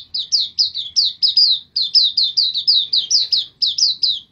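A white-eye sings a fast, unbroken run of high, sweet downslurred chirps, about four each second, over a faint low hum.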